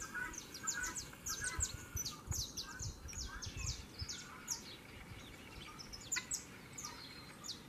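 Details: Saffron finches turning aggressive and fighting at the approach of the breeding season; rapid, scattered high chirps and clipped notes come in uneven clusters over a constant low hum, with a few faint voices in the background.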